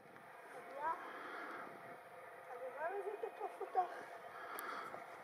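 Tristram's starlings give short, sliding whistled notes, with a quick run of rising and falling whistles near the middle, over a steady low hum.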